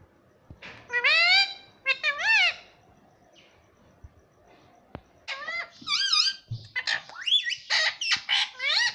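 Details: Pet rose-ringed parakeet talking indoors, taught to say mummy papa; harmonic squawky phrases with wavering, bending pitch in bursts, several short mimicked syllables and raspy chatter in a small room.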